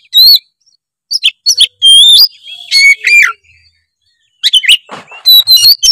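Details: Oriental magpie-robin delivering varied, fill-in-laden song to prompt a lazy bird to sing: clear upslurred whistles mixed with scratchy trills, a pause of about a second, then more rapid whistled phrases.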